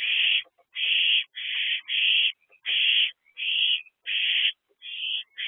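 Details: Harsh, breathy hisses from three owlets in a nest box, some with food, come in quick succession, nearly every 0.6 seconds, with faint softer squeaks between bursts.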